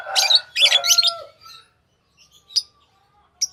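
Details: Lovebird chirping: a quick run of harsh, shrill chirps mixed with lower whistled tones, then silence broken by two thin, isolated peeps.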